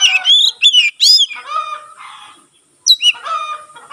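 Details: Kacer, or Oriental magpie-robin, singing with its tail spread, a song said to set other magpie-robins singing; a few sweet downslurred whistles, then drawn-out grating, buzzy notes and a fresh whistled phrase.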